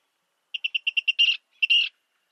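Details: Virginia rail of eastern North America: six rapid, evenly spaced sharp ticking notes, then two harsher, buzzier double-noted calls separated by a short pause, on a silent background.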